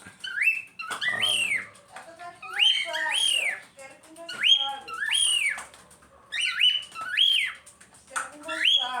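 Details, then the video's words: Cockatiels chattering while one bobs its head: a run of rising-then-falling whistled calls, roughly one every second, some doubled, with a brief low human voice early on. "as calopsita fazendo barulho"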